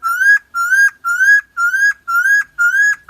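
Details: Koak kaok or helmeted friarbird from Nusa Tenggara, a lure recording: six clean, gently rising nasal notes with a sharp flick at the end of each, evenly spaced about half a second apart.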